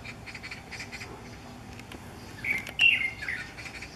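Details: Light-vented (Chinese) Bulbul singing at sunrise in front of a window in Miyun, 9 June 2014, possibly courtship: faint quick chirps, then a louder burst of bright warbled notes slurring downward, against quiet outdoor background.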